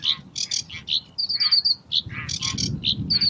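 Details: Tembakan variation song of a sedge warbler (kerakbasi alis hitam): quick chattering phrases mixing harsh scratchy bursts, short clear high notes and brief thin trills, tumbling out in an irregular stream.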